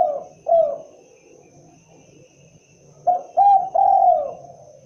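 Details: Spotted dove heard at the tail of one phrase, then a quiet gap, then a new phrase of short coos leading into a long drawn coo. Faint low hum throughout.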